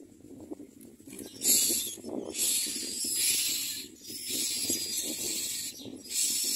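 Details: Young common mynas begging in the nest with gaping mouths make long, broad hissing rasps, several in a row with brief breaks, above soft low scratching sounds.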